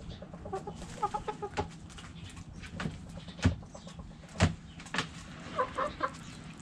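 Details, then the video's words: Backyard chickens in a coop, hens clucking: short harmonic clucks in scattered bursts with louder clicks and scratching noises in between, a busy background of low rumble. "Hens Clucking Roosters Crowing!"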